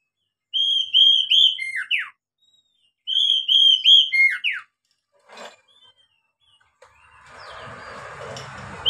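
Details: Oriental magpie-robin song meant to coax young caged birds into singing: two bright phrases, each of three or four ringing whistles ending in quick falling slurs, then a faint click and rising noise.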